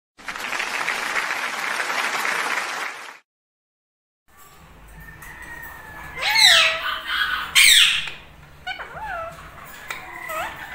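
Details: Two tame Indian ringneck parakeets, one lutino, bonding and talking as pets; after a few seconds of steady rushing noise and a brief silence, a series of sharp, curving squawks and rising-falling whistled notes follows, irregularly spaced.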